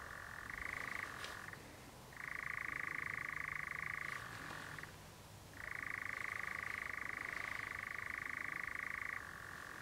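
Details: A European nightjar at Clumber near dusk churrs in long, dry, mechanical trills lasting several seconds, switching between lower and higher pitch with brief pauses between bursts.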